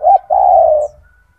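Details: Brief phrase from a loud, big-voiced gacor spotted dove (tekukur) used for tutoring other doves: a short clipped coo followed by one long, mellow, gently falling coo.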